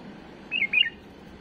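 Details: Tame bulbul singing an error-free song meant for tutoring young birds: one brief phrase of two quick warbled, whistled notes, slightly rising then dipping, over a soft steady background hiss.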